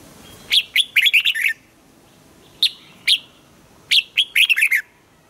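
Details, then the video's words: Caged red-whiskered bulbul in morning song training, giving bright whistled phrases of five or six quick notes that fall from high to lower pitch, with one short two-note burst between two full phrases. "Luyện giọng cho chào mào hót sáng, ép chào mào hót âm kép già rừng hay tuyệt!"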